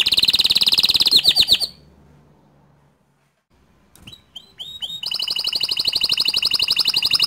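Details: Bottle-green canary song meant for tutoring young and untrained canaries. A rapid ringing roll breaks off into near silence, a few scattered chips follow, then a steady high trill of rapidly repeated notes resumes.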